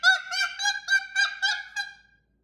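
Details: Pet cockatoo indoors uttering seven nasal, honk-like notes in quick succession over two seconds, evenly spaced and steady in pitch, then falling silent.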